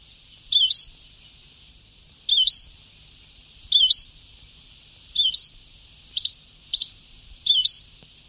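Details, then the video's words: Goldfinch song on an old Sebtaoui tape: a short rising-and-falling whistled motif repeated about seven times, with two clipped double chirps near the end, over constant hiss. "Canto del jilguero antiguo شريط تغريد سبتاوي قدييييييم"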